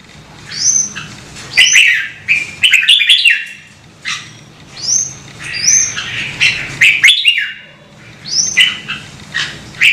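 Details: Several bursts of red-whiskered bulbul song, Vietnam: high sharp upslurred whistles leading into rapid warbling chatter, phrases returning roughly every two seconds over a faint low background hum.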